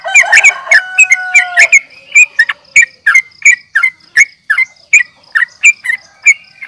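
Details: Sooty-headed bulbul (trucukan) fighting call meant to provoke rivals into answering: an opening burst of overlapping harsh chatter with clear tonal notes, then a string of crisp repeated chirps at a steady, rapid pace.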